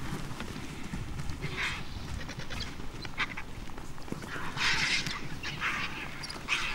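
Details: Hundreds of vultures, with marabou storks, warthogs and jackals, tear at the leg of a culled elephant at a vulture restaurant in South Africa; harsh, breathy hissing bursts come in short flurries, strongest toward the end, over a steady low rumble.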